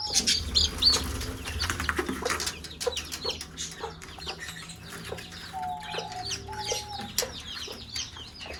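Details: Mother hen calling chicks to eat; the brood peeps in quick uneven bursts, several per second, with two longer steady mid-pitched tones midway and pecking clicks.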